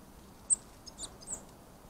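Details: Eurasian blue tit at a ground feeder in Lower Saxony, Germany, in January 2024, giving about five very high, thin, sharp call notes spread over a second, against a faint steady hiss.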